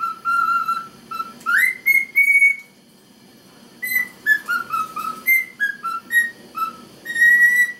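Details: Captive male cockatiel whistling the Chocobo theme while the female ignores him. Held whistles and a sharp rising squeal give way to a short silence, then a quick tumbling series of brief whistled notes ending on a long steady tone.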